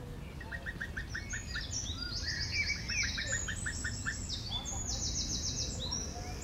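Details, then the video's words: A female Common Cuckoo calls near a stork nest: a fast bubbling series of short notes in quick bursts, with higher chirping from other small birds and a low rumble beneath. "roepende vrouwtjes koekoek"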